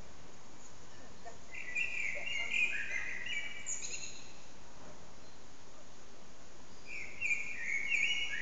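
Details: Common blackbird singing in an echoing backyard, recorded on an old phone: two warbled, fluting phrases with rich twittered endings, separated by about three seconds of steady background hum and noise.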